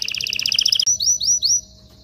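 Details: Canary singing for mating preparation: a rapid pulsed trill for under a second, then three clear rising whistled sweeps before fading.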